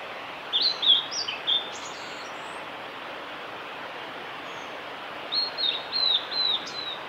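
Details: Male blue-and-white flycatcher singing along the Kanazawa forest road at Lake Miyagase, Japan, on 5 May 2018: two high whistled phrases of quick sliding notes, the second starting after a long pause, over steady background hiss.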